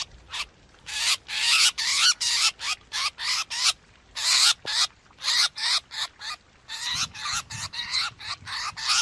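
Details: Trapping lure of black drongo calls from 2021: a steady run of quick, grating notes, several per second, with one short break partway through.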